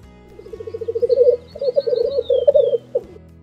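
Black Grouse: a low, dove-like bubbling made of rapid pulses, rising and falling in two long phrases, with a faint thin whistle high above.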